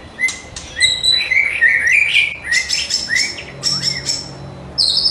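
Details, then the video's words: White-rumped shama in a lively song used for training birds in the morning: varied whistled phrases, short rising and falling notes around mid-high pitch with sharp high chips, delivered rapidly in bursts with brief gaps. "Murai Batu Gacor Dor Full Isian || Untuk Melatih Burung Di Pagi Hari"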